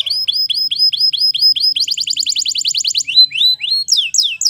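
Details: Singing canary in the wild with repeated rising whistled notes, a quick even trill, then lower swooping notes and a final burst of descending chirps.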